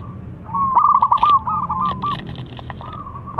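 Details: Big-voiced local zebra dove, kept as a lure for other doves: one long rolling coo of rapid, uneven staccato notes running into a sustained tone, with tapping clicks and low rumble in the background.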